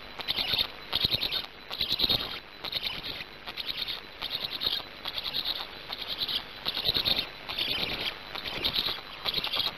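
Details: Nestling black stork in Gemenc, Hungary, on a live-streamed nest, 10 May 2019 late afternoon, just after swallowing a large fish; wheezy high chattering bursts repeat slightly more than once a second in a steady uneven series.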